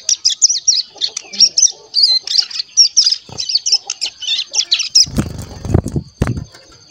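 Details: Month-old crescent-chested warbler chick learning to sing in captivity, tutored with recordings of other birds: quick high twittering phrases for five seconds, then several loud rustling, knocking bursts near the end.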